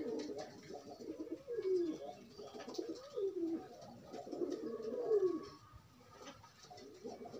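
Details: Low, throaty pigeon coos from loose birds forming pairs: wavering phrases with falling, bowed notes, swelling and fading about every second and a half, then quieter toward the end.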